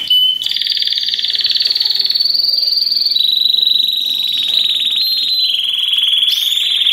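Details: Massed Belgian canaries singing together to prompt other canaries to sing after the moult or while young; a steady, unbroken high trill chorus with fine rapid pulses and slight pitch steps throughout.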